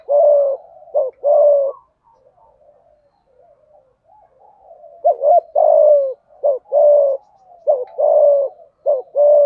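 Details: Spotted dove in thúc gù and gáy gọi cooing, hạp bổi style. Low hooked coos each lead into a long sliding coo, phrase after phrase, with a quieter murmuring stretch midway.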